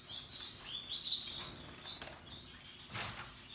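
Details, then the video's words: Russian yellow and Timbrado canaries happily singing among other birds: high chirped notes and short warbled phrases, loudest near the start and around one second, followed by quieter scattered chirps. "Relaxing Canaries and others birds singing sounds"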